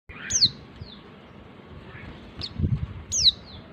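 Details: Female white-eye calling to the male, used to lure reluctant males into singing: two sharp, high whistled notes sliding steeply downward, about three seconds apart, over a faint low background rumble.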